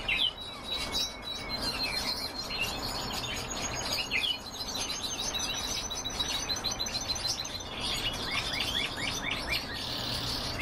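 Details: Several pet canaries singing; rapid high trills and chirped phrases run through the whole recording, partly masked by a steady broadband hiss.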